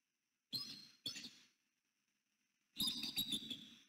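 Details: Wild bald eagle pair at their nest tree in the Hamlet, northeast Florida, on 6 November 2019 at dawn as the nest camera's infrared light switched off; arriving eagles call in two short bursts of high, chattering piping, a pause, then a longer harmonic chatter.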